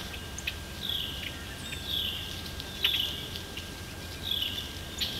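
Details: A red-winged blackbird on the Maurice River gives fairly high, buzzy trilled phrases every one to two seconds, over a faint steady hum and soft background noise.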